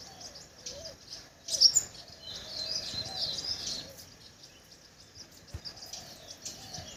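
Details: Crimson sunbird giving a bright, piercing chirp followed by a burst of thin, high twittering notes, set against a constant high-pitched background chorus with faint lower warbled calls.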